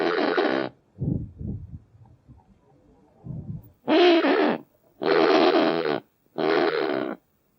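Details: Kakapo (Strigops habroptilus) giving loud, hoarse, squawking calls of about half a second each, with softer low grunts between the first call and three later ones.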